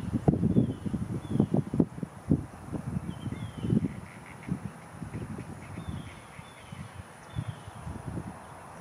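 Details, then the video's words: Anhinga calling from a branch above a lake: a burst of low, croaking clicks repeated in quick irregular bursts that fade after a few seconds, with soft distant bird whistles. "Anhinga snakebird perched on branch over lake and calling out"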